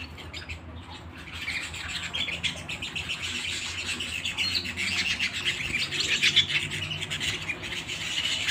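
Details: Canary singing at home, starting softly and building into a loud, rapid rolling trill of high chirps about four per second, growing fuller toward the end, with a faint low hum behind.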